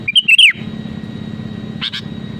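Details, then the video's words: Actively singing sooty-headed bulbul, meant to pressure rivals into song: one quick phrase of clear whistled notes ending in a falling slur, then a faint short double note amid constant low background hum. "SUARA ASLI BURUNG KUTILANG GACOR PALING AMPUH MENEKAN LAWAN UNTUK BUNYI GACOR SEKETIKA"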